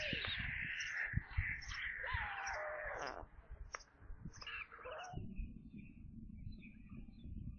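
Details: Evening feeding of white storks at a webcam nest in Kaluga region, Russia, 22 July 2022, 17:52, with a corncrake brought. About five seconds of loud wailing that breaks off into low rumbling background noise.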